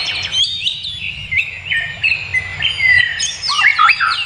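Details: Birdsong from the wild: clear whistled phrases and rapid chirps from more than one bird, with looping slurred notes and a few rising whistles, over faint low background sound.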